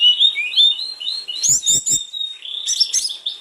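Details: Sulingan gunung, or snowy-browed flycatcher, in full lively song meant to spur others of its kind into singing: fluid high warbled phrases sliding up and down, a few sharp clicks midway, then a sustained thin whistle with quick flourishes.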